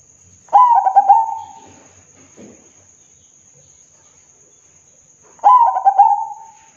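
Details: Zebra dove (perkutut) giving its loud, big-voiced song: two cooing phrases about five seconds apart, each a quick burst of bubbling, stuttering coos that trails into a steadier hum. A faint constant high whine sits in the background.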